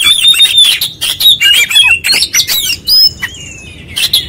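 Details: Loud, insistent singing from an oriental magpie-robin showing off its repertoire: quick clusters of sharp chips and whistled slides, followed by a sustained ringing whistle and a final burst.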